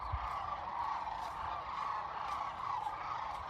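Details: About half a million Sandhill Cranes at a spring migration stopover on the Platte River, central Nebraska, in cold wind, fill the air with an unbroken roar of overlapping rolling, rattling calls; no single voice stands out.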